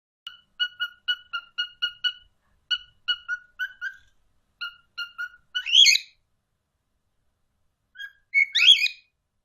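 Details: Parrots communicating with each other: series of short paired whistled notes repeated in quick bursts, followed by two harsher, louder screechy calls.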